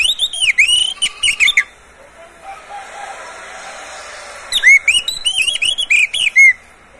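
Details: Kept Oriental magpie-robin (kacer) sings two bursts of sweet downslurred whistles and rapid trills separated by a few seconds of quiet hiss; the recording is used to stimulate other captive birds to sing.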